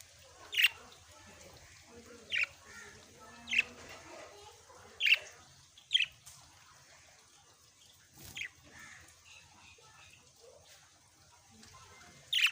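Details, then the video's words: Lovebirds making sharp, high, squeaky call notes repeated irregularly every second or two, with a soft low hum and faint chatter in the background. "love birds"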